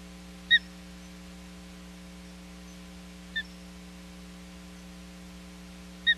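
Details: Osprey in a confrontation at the Hog Island nest, 10 July 2021. Three brief, sharp, high-pitched chirps, with the middle one softer, separated by quiet gaps against a constant background hum.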